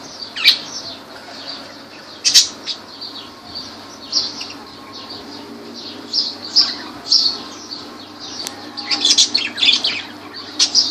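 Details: Lovebirds at Laylan, Kirkuk: sharp, high chirps come in short bursts every second or two, with some clustered runs of quick notes, over a steady background hiss.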